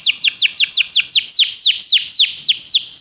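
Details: Canary song for stimulating a pet canary: an even series of loud, sweeping notes dropping sharply in pitch, about four each second, steady throughout.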